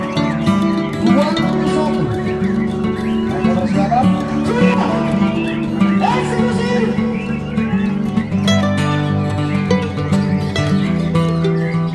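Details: Strummed acoustic guitar music plays with people talking over it, and no animal sound stands out.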